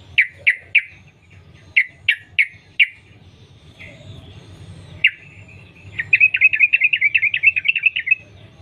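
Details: Wild Yellow-vented Bulbul song used as a lure to make others sing: a handful of loud separate sharp notes, a pause, then a quick rattling trill of rapidly repeated slurred notes at the end; quiet hum behind.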